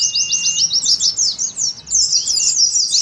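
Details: Oriental white-eye in the rapid ngeriwik song style, used as a lure for wild white-eyes and as a contest simulation: a dense, unbroken stream of very high, fast twittering chirps, with a thin steady whistle in the opening second.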